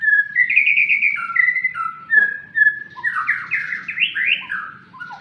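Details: White-rumped shama (Copsychus malabaricus) being sunned sings rich, fluting whistled phrases that slur up and down, running into a fast, varied warble, over a faint low background hum.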